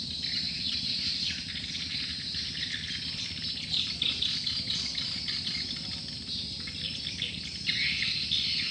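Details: Swiftlets calling en masse as a lure sound: an unbroken wash of fast, sharp high chirps and ticking clicks, densest near the end, over a low steady hum.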